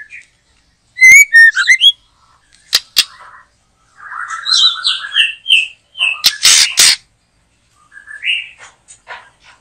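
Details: Singing white-rumped shama in a backyard behind a house, caught up in a trapping session: a quick whistled flourish, sharp clicks, a soft warbled passage, loud paired bursts and a final rising whistle.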